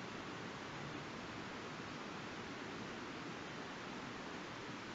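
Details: Even hiss of surf and wind on Nonsuch Island, Bermuda, in 2017, with no animal voice.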